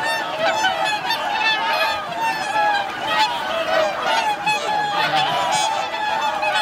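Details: Wintering flock of swans at Lake Hyoko, a Ramsar wetland in Agano, Niigata, Japan, on 8 January 2022, with 2628 swans present; dense overlapping honking and bugling, many birds calling at once in a continuous chorus.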